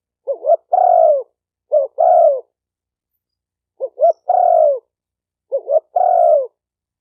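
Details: Spotted dove cooing in four phrases, each a brief double hoot followed by a sustained, slightly descending mellow coo. The recording is used for training a new bird and has silent gaps and no background noise.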